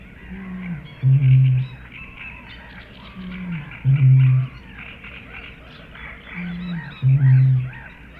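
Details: Eurasian bittern booming: a short low lead-in note followed by a deep, hollow, resonant boom, the pair repeated three times about every three seconds, with faint background noise.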